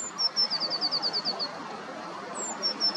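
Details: A Eurasian Blue Tit by a river early in the morning, 6 April 2023: a high, thin opening note, then a quick trill of about ten slightly falling notes, starting again near the end, over steady rushing background noise.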